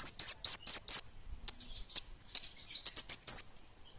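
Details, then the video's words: Orange-headed thrush (kemade bunga api) in lively, energetic song: rapid runs of loud, piercing high whistles, each note swooping downward, broken by short pauses and scattered thin chips. "Suara Burung Kemade Bunga Api Gacor!!!"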